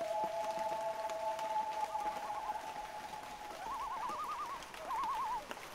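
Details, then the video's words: Loons in light rain give a long, steady wail held for over three seconds, with a second lower voice alongside, then break into short, wobbling tremolo calls; gentle rain hiss continues underneath. "1 Hour Light Rain & LOON Sounds - Loon Calls For Relaxing"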